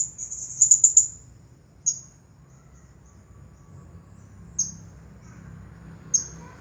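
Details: Champion Blue-crowned hanging parrot in 'Nagih Hutang' style song: a short run of high, thin, rapidly stuttered chirps, then single sharp high notes spaced about two seconds apart, with quiet low hum behind.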